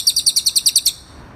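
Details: Cililin on a recording for teaching songbirds: a short phrase of nine high, evenly spaced chirps delivered in under a second, then quiet.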